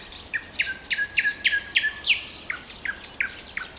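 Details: Nightingale trills: a run of loud, sharply descending notes repeated about three times a second, shifting to a faster series of quieter down-slurred notes.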